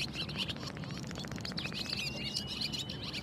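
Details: Barn swallow song: fast twittering chatter of high notes, then a long thin buzzy trill held near one pitch and rising slightly at the end, over a steady low background rumble.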